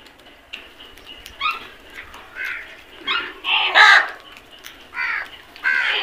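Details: A flock of crows calling while eating, harsh caws repeated in short bursts about once a second, several birds overlapping, with one louder cry near the middle and a faint rustling background.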